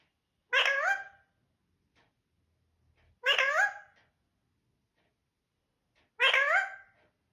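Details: Talking parrot repeating "mithoo": three rich, harmonic, voice-like utterances, each under a second, spaced about every 2.7 seconds with quiet gaps between.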